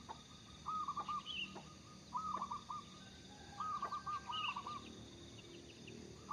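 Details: Zebra dove of local origin singing steadily, used to lure other birds, utters rapid, stuttering coo runs, sometimes two phrases run together. Occasional high chirps from another bird and a faint low hum are heard.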